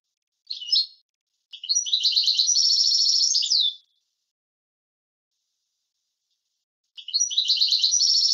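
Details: European goldfinch singing in a clean recording for tutoring birds: a short chirp, then a long two-second buzzy trilled phrase, silence, and the start of another trill.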